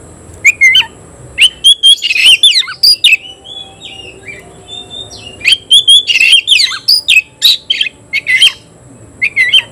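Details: Oriental magpie-robin singing hard at a rival; long runs of loud sharp chirps, squeaks and rasping notes in quick clusters, broken by short pauses, with faint whistles between phrases.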